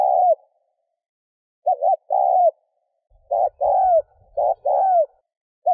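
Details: Spotted dove cooing to stimulate a decoy bird: a quick double-humped note then a longer, falling coo, phrases repeating irregularly, with a faint low rumble in the second half.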